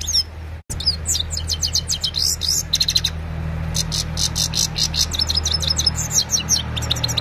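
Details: Himalayan goldfinch in evening song, taped with an Oppo A76 mobile: bursts of quick, high, chattering notes and brief rattling trills repeating across the clip, over a persistent low droning background.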